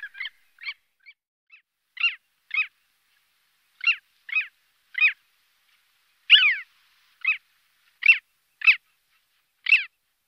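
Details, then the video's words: Long-tailed Skua giving short, harsh, nasal calls, mostly in pairs, spaced about every second or two, with no other sounds. "Длиннохвостый поморник - Stercorarius longicaudus"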